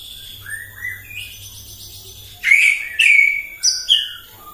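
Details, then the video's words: Morning provoking song of a white-rumped shama: soft quiet warbling at first, then loud clear whistled notes and quick high slurs toward the end. "PAGI-PAGI MURAI AUTO EMOSI MENDENGAR PANCINGAN INI❗ GACOR FULL❗❗"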